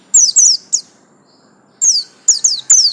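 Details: Pleci buxtomi white-eye, a kept songbird of the garis kuning (yellow-line) type, giving very high, thin chirped notes in three quick bursts, a pause, then four more sharp descending tweets.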